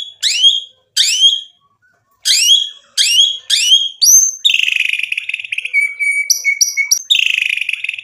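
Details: White-rumped shama singing to provoke a rival's reply: five loud downslurred whistled notes spaced about half a second apart, then a fast, ringing, buzzy trill with high squeaky inserts.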